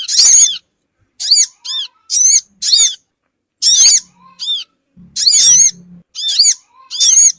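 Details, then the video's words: Small-bird lure sound of the Sogon: sharp, high, buzzy notes with curved harmonics, repeated in uneven bursts, some paired close together, separated by brief silences, and a faint low hum midway. "suara pikat burung Sogon ampuh cepat ngumpul"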